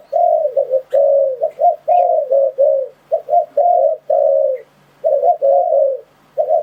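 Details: Repeated low coos of a spotted dove, played to lure wild doves into traps. Short notes and longer sustained ones form phrases separated by brief silences, in a clean, quiet recording.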